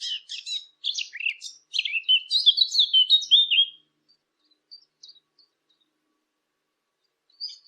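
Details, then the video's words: Bird twittering in a fast descending tumble of chirps and buzzy warbles for a few seconds, then only a few faint distant peeps. "نصف ساعة من صوت العصافير الجميل ، Yarım saat kuş cıvıltısı ، Half an hour of birds chirping"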